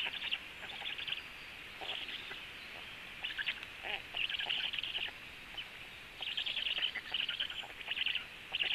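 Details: Black stork at the nest, the female feeding her storklets with frogs; bursts of harsh, buzzy, high-pitched calling come in uneven groups, with short quiet gaps between them and steady background hiss.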